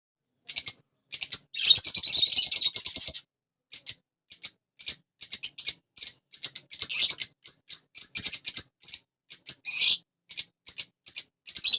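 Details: A happy pet budgerigar chirps in quick, high, scratchy bursts with one longer warbling chatter.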